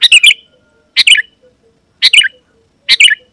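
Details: Sooty-headed Bulbul singing to lure wild rivals: four bright, bubbly chirping phrases about one second apart, each a quick cluster of notes falling at the end, with silence between.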